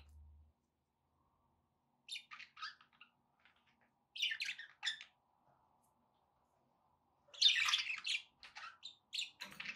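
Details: Pet budgerigars kept indoors, giving short bursts of chattering, scratchy chirps in the 2–8k range, with gaps of silence between clusters and a louder harsh squawky burst near the end.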